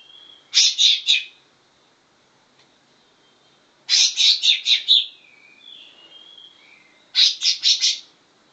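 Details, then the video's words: Trained greater green leafbird mimicking grey-cheeked bulbul song in three quick bursts of rapid harsh notes a few seconds apart, with soft whistled and twittering notes in the gap after the second burst. "cucak ijo isi cucak jenggot"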